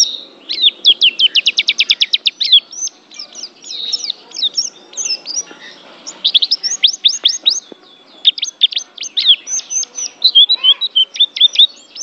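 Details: Champion Oriental white-eye of the Banten type, an Asian contest winner, singing a long, high, rapid string of thin sharp chirps, opening with a fast even trill, then tumbling twittering phrases and quick falling notes.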